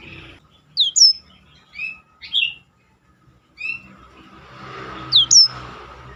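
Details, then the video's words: Black-throated canary used as training material for competition birds, giving scattered high slurred whistles and short notes separated by pauses, with low rumbling background noise in the later part. "biar kecil suaranya mahal roll istimewah || masteran jos untuk burung lomba."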